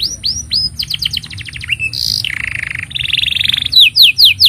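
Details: Canary singing a long master song for tutoring young or silent canaries: swept whistles, rapid repeated trills, a harsh buzzy rattle and steady chirring rolls, ending in loud downward-slurred notes.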